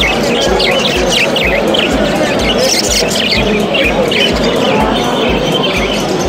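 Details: Many parrots at the Tashkent bird market on 26 October 2019 chatter at once in quick, scratchy chirps and squawks over a steady roar of crowd noise, with faint music in the background.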